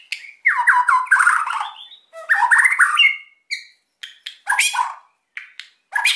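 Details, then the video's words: White-rumped shama in full, emotional song used to stir silent birds to sing: long harsh rattling, churring phrases, followed by scattered short whistled and chirped notes with gaps between. "MURAI GACOR EMOSI BIKIN MEMANCING BURUNG YANG PENDIAM"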